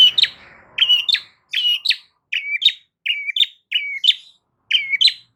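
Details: Loud long-tailed shrike song meant to provoke other shrikes to respond: paired phrases, each a scratchy note followed by a short downslurred whistle, repeated about every half second to second.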